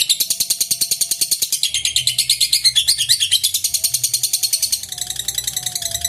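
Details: Lovebird delivering a long ngekek trill to draw rival birds into song; rapid high-pitched rattling chatter, unbroken, with a faint low whine in the background.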